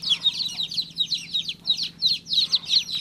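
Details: Baby chick chirping: high, sharp peeps sliding downward, repeated about three times per second in quick bursts, with a faint steady low hum beneath.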